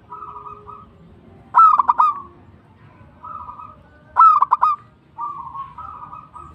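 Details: Zebra dove, local type, alternates soft bubbling trills with two loud phrases of quick, bell-like staccato coos about two and a half seconds apart.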